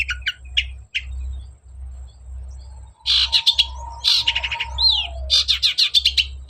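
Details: Long-tailed shrike, energetic song used as a lure for a lazy bird: sparse chips, then a dense run of harsh scratchy notes over a long faint low whistle, a slurred call, and rapid chattering.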